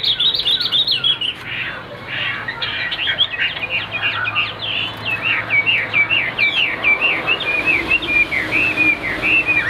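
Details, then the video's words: Chinese hwamei, a caged songbird with white wings and white tail, pouring out a bright high song of fast whistled notes that dip and rise, strung into an unbroken warbling stream. "Cánh trắng đuôi trắng ôm cóng - Hót cao cầu l Hoạt Họa Mi"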